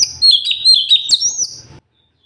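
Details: Sooty-headed bulbul (cucak cungkok) singing in energetic gacor style, a tutor recording for training other birds: a quick run of bright whistled notes sliding up and down, joined into one bubbling phrase under two seconds, then silence.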